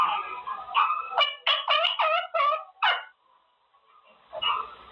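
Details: Caged male Quaker parrot practising words, with a burst of rapid harsh chattering syllables around the second second, then quiet before a short squawky phrase at the end.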